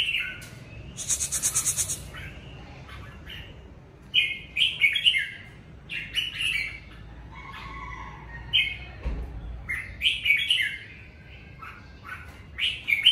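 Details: Red-whiskered bulbul singing in the covid season: a lively string of short warbled and whistled phrases, many given in quick clusters, with a brief rattling noise near the start.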